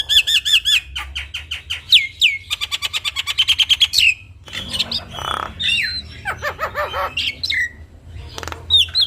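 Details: Javan myna in full song, a training recording for young birds and other starlings: a fast series of repeated clicking whistled notes for about four seconds, then varied harsh squawks and looping slurred whistles.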